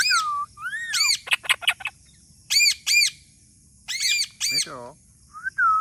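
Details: Talking parrot mixing slurred whistles and a rapid burst of clicks with repeated harsh squawks, ending in a descending warble and a short whistle.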